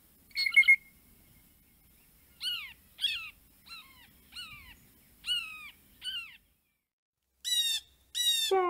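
A Blue Jay gives a brief clear note, then a string of harsh, downslurred "jay" calls roughly every 0.6 seconds, ending with two louder nasal calls.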